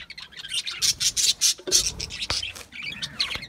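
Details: Budgerigar giving a run of short, bright chirps in rapid succession, then softer scattered twittering, with a couple of sharp clicks.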